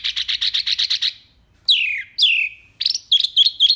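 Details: Tembakan-style song of a wambi mini: fast rattle of identical high chirps, then two long descending slurred whistles, ending with short sharp upward-flicked notes.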